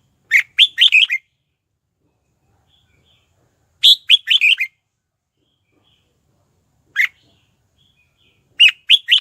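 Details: Red-whiskered bulbul decoy, singing to attract wild birds to fight, 2022: three quick phrases of four or five loud warbled whistles, spaced a few seconds apart, plus one lone note, with silence between.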